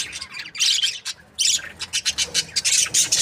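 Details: Budgerigars kept as breeding pairs give dense, harsh, buzzy chirps and squawks in rapid bursts, with short gaps, then overlapping chatter from several birds.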